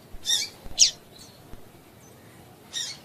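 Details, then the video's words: Female double-collared seedeater call used to make males sing: a harsh chirp quickly followed by a sharper one, silence for nearly two seconds, then one more buzzy chirp. "Piado de Fêmea de Coleiro para Esquentar Coleiro"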